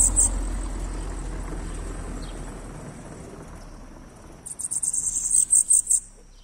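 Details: Bananaquit (sibite) song of the "O louco" type: a brisk series of thin, very high, buzzy pulses near the end, preceded by a steady low rumble that fades away.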